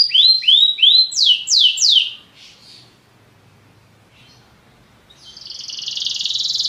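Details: Belgian canary giving a few looping downward-swept whistled notes, then a pause of near silence, then a dense buzzy rolling trill building in loudness.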